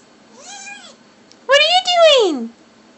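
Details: Five-month-old cape parrot, indoors, imitating human speech as if asking "what are you doing?" with a "hi" added: a soft, short arched note, then a louder, longer, harmonic-rich phrase that rises and falls. A person speaks afterwards.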